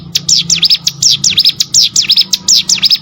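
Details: Hill Prinia, training audio for contest birds: dense, high, sharp V-shaped chirps repeated in quick bursts, a lively chattering rhythm over a soft low hum.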